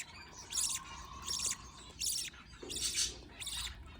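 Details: Young budgies fed by their parent: five raspy, buzzy squeaks, about one every three-quarters of a second, with a faint low hum throughout.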